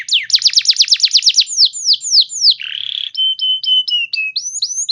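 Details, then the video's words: Canary song that prompts other canaries to answer: a quick series of steep descending whistles, slower sweeping notes, a rough buzzy burst, then short flat piping notes and rising slurs. "Pancingan Burung Kenari Macet Bunyi! Ampuh Bikin Kenari Lain Langsung Respon Terpancing bakal Gacor"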